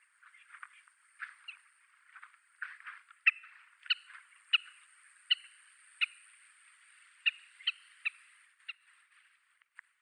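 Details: Oriental pratincoles, a small flock suddenly taking flight, give sharp, harsh chattering notes, several birds calling together in irregular bursts, with a faint steady high hiss behind; audio-only recording, Yonaguni, Japan, passage or summer visitor.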